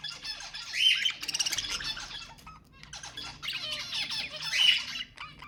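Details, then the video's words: Budgerigars singing to encourage mating, a continuous scratchy chatter of fast rasping notes, clicks and short whistled squeaks, rising in two loud surges with a brief lull between. "تحفيز البادجي على التزاوج حفز طيورك"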